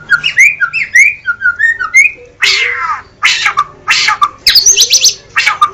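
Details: White-rumped shama in energetic gacor song: a run of clear, quickly repeated whistled notes slurring up and down, then harsh, buzzy bursts and high thin notes, with short pauses between phrases.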